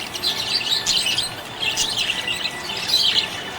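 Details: Happy budgie giving short bursts of busy, scratchy warbling and high chirps, three main bursts within a few seconds.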